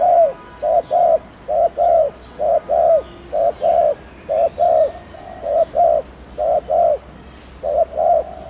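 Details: Spotted dove giving a fast 'gù' coo meant to stimulate other doves to coo quickly: short mellow coo notes, mostly in pairs, about a dozen in quick succession with brief gaps, over a low steady background hum.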